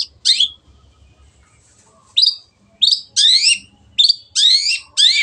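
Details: Long-tailed shrike in clear song meant for other birds to copy: spaced bursts of rich, warbled, down-sliding whistles separated by short pauses.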